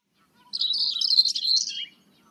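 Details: Common whitethroat song amid other birds in the background: a quick, scratchy, jumbled warble lasting about one and a half seconds, with faint low notes of other birds beneath.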